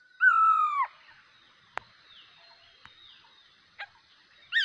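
A bulbul gives one loud, clear whistled note that slides slightly downward, then pauses among a few sharp clicks before another bright note begins.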